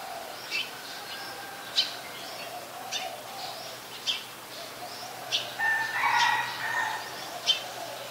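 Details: Adult red-whiskered bulbul in Ubon Ratchathani, Thailand, 3 January 2021; sharp clipped notes repeated roughly every second, then a brief warbled whistled phrase, over a steady hum of background birds.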